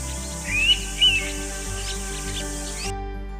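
An Indian pitta gives two clear, rising whistled notes about half a second apart over steady background music.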